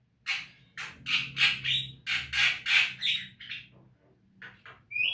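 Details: Javan myna recorded for training caged birds to sing: a run of loud, harsh squawks repeated roughly three per second, then softer scratchy notes and a closing whistle, over a low droning hum.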